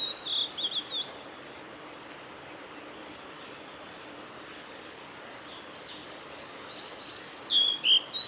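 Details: Male blue-and-white flycatcher, 17 May 2020, Kanazawa forest road beside Lake Miyagase. A short burst of high whistles opens the recording. After a long gap of soft hiss, another brisk whistled phrase follows near the end.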